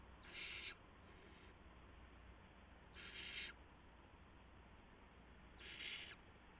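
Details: Owlets hissing at night on March 19, 2016, as adult owls deliver a gopher and mice. Three strong rasping screeches come every two and a half seconds, each followed by a faint echo-like hiss.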